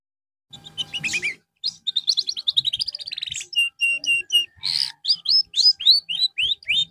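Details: Song of a canary receiving therapy after it stopped singing well: a harsh opening, a long rattling trill, a row of evenly spaced level whistles, a rough burst, then repeated rising slurred notes.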